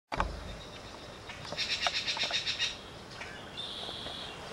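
Northern cardinal sings a fast run of bright, repeated notes, about eight in just over a second; a low thump opens, and a steady high hum follows.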